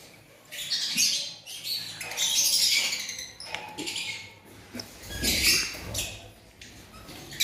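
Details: Aviary lovebirds in Pakistan giving harsh, high screechy squawks in uneven bursts that rise and fall every second or two, with occasional rustling and soft thumps beneath.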